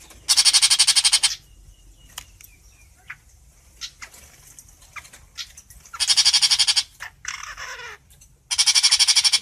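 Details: A long-tailed shrike calls to its flock with three loud, rasping bursts of rapid buzzy pulses, with soft ticks in the gaps and a short, thin, falling whistle before the last burst.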